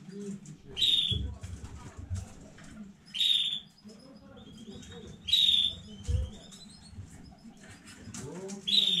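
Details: Home-bred canary from a new breeding batch, 15 May 2019, repeating loud sharp whistled chirps roughly every two seconds, with soft twitters between and a low indoor hum.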